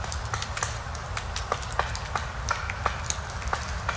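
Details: A female Eurasian three-toed woodpecker in a pine forest, usually stripping bark to find insects and larvae, pecks in sharp, dry taps about every third of a second, uneven in pace, over a low rumble; a black woodpecker hammers a pine high nearby.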